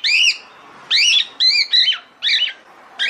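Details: Female cockatiel calling the male to mate: loud, harsh, rising-and-falling squawking notes, each about a third of a second long, repeated about every half-second with brief silent gaps.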